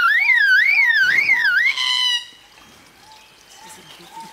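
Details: Bird mimicking a crying baby: a loud, smoothly warbling whistle swooping up and down for nearly two seconds, then fading to faint soft notes.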